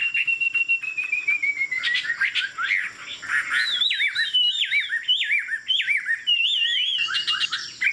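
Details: Tame hwamei singing from a high perch: opens with a steady whistle sliding gently downward, then bursts of harsh notes before a series of repeated looping, wavering whistled phrases.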